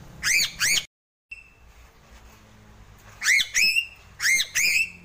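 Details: Sulawesi crow calling: two pairs of loud, nasal, harmonic notes that rise sharply and level off, in bursts of two, separated by a short silence and low background hum.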